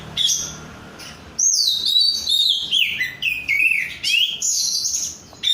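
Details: Untrained oriental magpie-robin known as 'rudal korea' in active song: a soft opening, then loud descending and rising whistled phrases, rich warbles and high piercing notes in separate bursts.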